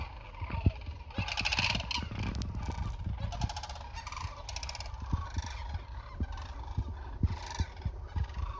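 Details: Migrating sandhill cranes in south central Nebraska, 2021, about 30 meters away: dense chorus of rattling, trumpeting calls from many birds, with repeated low thumps and clicks scattered through the recording.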